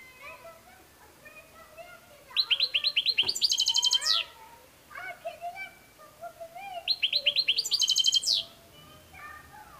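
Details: Goldfinch melody with soft twitters building into loud, rapid tinkling note series and high buzzy trills, delivered in two similar bursts a few seconds apart with quieter chatter between.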